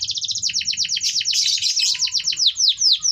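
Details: Lure song of a canary meant to get lazy singers going: a fast series of sharply descending chirps repeated several times per second, slowing slightly toward the end, with low background rumble.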